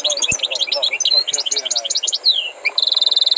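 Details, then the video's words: Goldfinch with tutored song runs quick tinkling chirps and slurred whistles, a downward-gliding note, then a fast, evenly spaced series of clipped high notes. "غناء حسون قمة في الأداء غلطة لا _Chant du chardonneret"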